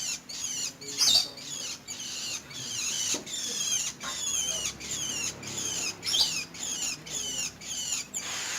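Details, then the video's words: Long-tailed shrike pouring out continuous high, squeaky chatter of sweeping and wavering notes. A few louder, sharp whistled notes stand out, and the phrases are broken by short pauses. "Burung Cendet Manja"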